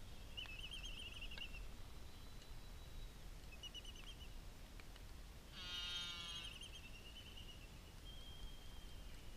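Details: Black-footed albatross gives thin, wavering high squeals in short bursts, with one louder, harsher buzzing squeal midway, over low wind and surf. This is an adult feeding its chick on Midway Atoll; it carries a GPS data logger.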